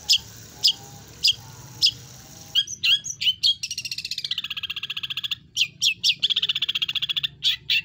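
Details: Long-tailed shrike singing in full 'isian' style, with mimicry ranging high and low, recorded for training. Spaced sharp ticks give way to bursts of notes and two long, fast rolling trills of high pulses.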